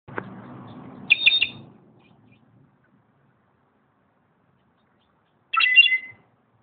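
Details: Slate-colored solitaire calling at Xel-ha: a short burst of bright, clustered high notes, then a pause of about four seconds and a second similar ringing burst; low rumbling noise at the start.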